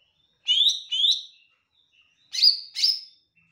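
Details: Olive-backed tailorbird singing actively: two pairs of loud, sharp, slurred notes, each pair quickly doubled, with a short pause between pairs and a faint thin whistle in the gaps.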